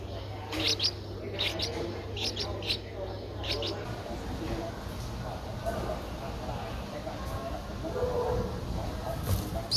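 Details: An 11-day-old Streak-eared Bulbul nestling, whose eyes opened at 7 days, in Ubon Ratchathani, Thailand, on 13 April 2023, gives short, high, sharp chirps in quick pairs every second or so, fading later, over a low hum.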